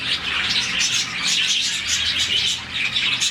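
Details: Happy morning chirping of a budgie colony of roughly 40 birds: nonstop high-pitched twittering from many birds at once, quick warbling notes blending into an unbroken chorus.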